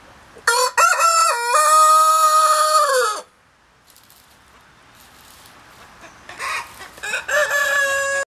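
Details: Buff black Columbian rooster crowing twice: a long, loud, steady crow lasting nearly three seconds with a slight downward finish, quiet for several seconds, then a second crow beginning in choppy bursts before holding steady.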